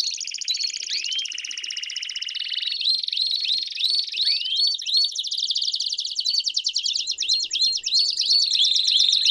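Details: Belgian canaries singing together: layered high rolling trills that step between pitches, punctuated by short rising whistled notes, forming a continuous overlapping chorus.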